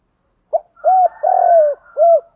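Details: Spotted dove from a recording of male and female birds meant to make doves coo: one phrase of a brief pip, a rounded note, a long gently falling coo and a closing short coo, low and mellow.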